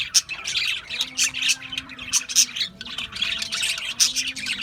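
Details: Australian budgies chirping in a flock: loud bursts of harsh, buzzy chatter and squawks in quick succession, dipping briefly before resuming.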